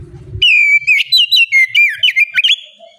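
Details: Oriental magpie-robin in full, open-voiced song, used as bait to make untrained magpie-robins start singing and answer: a rapid run of loud, clear whistled notes, sliding and warbling, following a brief low rumble at the start.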